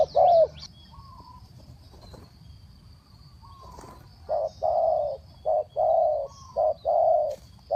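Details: Spotted dove coos, first one loud note, then after a quiet gap a run of low paired coos, short then drawn, in the three-kuk-hoi style, with a few faint clicks.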